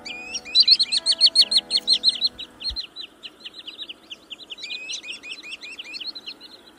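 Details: Common sandpiper calls from a recording sold as a trapping lure for the 2024 bird season: a fast series of high, thin, down-slurred notes at about 90 per minute, briefly pausing, with a faint low hum in the first seconds.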